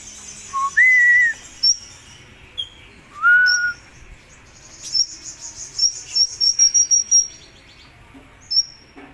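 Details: Hummingbird called kolibri ninja, a bird sound from 2020: thin, clear whistled notes, a few lower rising slurs, then a quick series of very high, short piercing chirps, over a faint background hiss.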